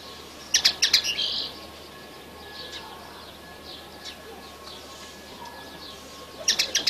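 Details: Excited song of a young red siskin: a brief burst of high, rapid twittering notes, then near silence with a faint hum, and another short twittering burst at the end.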